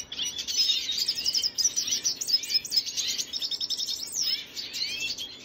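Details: Lively high-pitched warbling from a red siskin (Venezuelan), dated 25 June 2022: dense runs of chattering chirps and rising slurred notes, briefly easing before a fresh twittering phrase starts.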